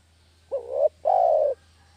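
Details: A single two-part coo of a spotted dove, used as a lure for catching doves. A short hooked note swells upward, then a longer, mellow coo drifts gently lower before ending cleanly.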